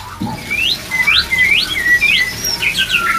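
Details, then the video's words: White-rumped shama song played as therapy to raise breeding drive, with many shamas mentioned: clear whistled notes sweeping upward, several in quick succession, then longer falling whistles, over a faint low background hiss. "CEPAT BIRAHI‼️BANYAK MURAI BATU CEPAT PRODUKSI‼️DENGAN TERAPI MENAIKAN BIRAHI MURAI BATU INI"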